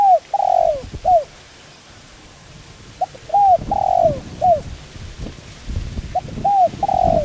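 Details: Spotted dove calling, a recording used to lure and train wild birds: soft, low, hollow coos in short groups of three or four notes, each set ending in a longer falling coo, repeated after pauses against faint rustling background.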